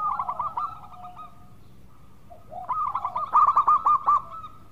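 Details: Zebra dove of the local type in vigorous song, used to lure others into singing: a stuttering coo phrase, a quiet pause, then a louder run of rapid staccato notes ending in a clear burst of six.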